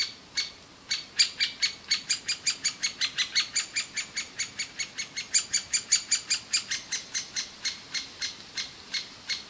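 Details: Loud begging of young great spotted woodpeckers inside a nest hole in an old aspen, fed tirelessly by both parents; a continuous rapid string of high, sharp chirps at about two and a half per second.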